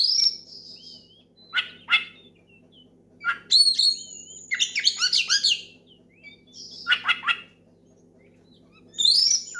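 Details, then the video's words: Loud oriental magpie-robin song used to challenge a rival and set other birds singing, mixing clear sliding whistles with rasping, buzzy bursts, delivered in separate phrases of a second or two each. "SUARA KACER MEMANGGIL LAWAN NGEPLONG KERAS BIKIN KACER LAIN IKUT GACOR"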